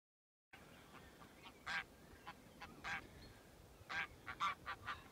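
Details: Greylag geese crossing the fields at Haigsfield near Birgham, with the River Tweed in the medium distance. Short harsh honks come in irregular bursts after a brief silence, some doubled, rising in loudness toward the end, over faint background hiss.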